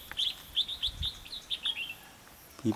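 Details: Red-whiskered bulbul used as a trapping decoy on 3 November 2016 sings a rapid run of clear, whistled, bubbling notes, about eight in two seconds, followed by a man's voice.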